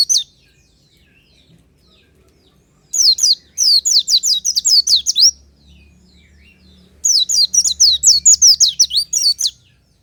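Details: Oriental white-eye singing naturally in the morning, a lure recording: two long bursts of rapid, high-pitched, jumbled twittering, separated by a quiet gap, with a faint low hum beneath.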